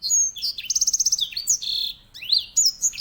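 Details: Grey singing finch, a finch used as a master singer for canaries, pours out a continuous song of high whistles, a quick pulsed trill, a steady buzzy note and rising swoops.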